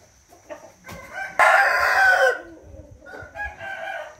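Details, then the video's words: Rooster crowing recorded on 13 June 2021: soft clucks lead into one loud, strained crow of about a second, then a fainter distant crow answers, over a steady high electrical whine. "nghe tiếng gà gáy"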